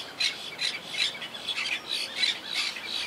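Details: Quaker parakeets living wild in a tree colony that survived hurricane Irma in 2017 keep up rapid harsh squawking, calls coming about three per second in a nearly continuous chatter.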